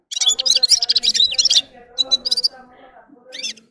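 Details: Red-fronted serin, locally called gulsir, singing a rapid high twittering run of buzzy, jingling notes for about one and a half seconds, followed by shorter chirpy bursts, with a low steady hum underneath.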